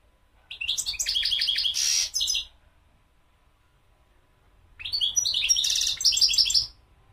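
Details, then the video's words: European goldfinch singing two bright bursts of rapid, liquid twittering, about two seconds each, separated by a pause, with a buzzy rasping note inside each phrase; faint low rumble underneath. "تغريد الحسون مقنين"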